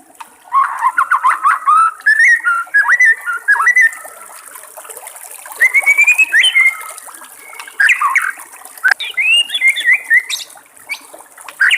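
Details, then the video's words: White-rumped shama in the wild near running water, singing long varied phrases of rapid warbled, fluty notes with trills and swooping whistles, broken by brief pauses. "SUARA BURUNG MURAI BATU DI ALAM LIAR"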